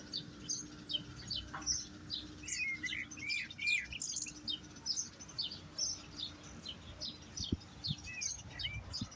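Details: European goldfinch in a singing session: a steady stream of quick, high, tinkling twitters and short rising and falling chirps, thickly packed over nine seconds, with a faint low hum beneath.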